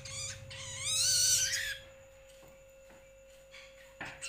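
A young long-tailed shrike gives one harsh, raspy call that rises over about a second and a half, followed by a few faint clicks over a steady electrical whine.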